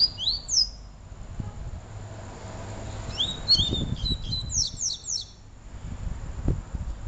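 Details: Double-collared seedeater singing, with Peteleco and Desejo styles set side by side: a pair of bright swooping notes, a pause, then a rapid burst of about eight sharp descending notes, with low thumps underneath.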